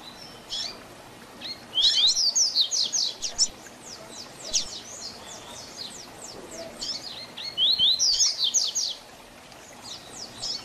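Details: Tui Tui Zel Zel style song of a double-collared seedeater, meant for teaching young birds: two bursts of rapid, high, sharp whistled notes about six seconds apart, with quieter chips between them.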